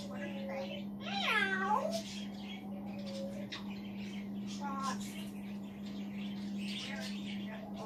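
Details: Indoors, a male African grey parrot kept as a pet chatters to himself from a chair, with a loud looping whistled swoop early on, then soft muttered syllables and brief tonal notes against a steady hum.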